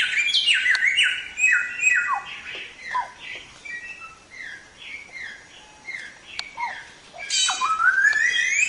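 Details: Chinese Hwamei, called Samyong locally, singing a loud gacor masteran song used for training songbirds: rapid series of bright whistled notes sliding downward, then a long rising whistle near the end.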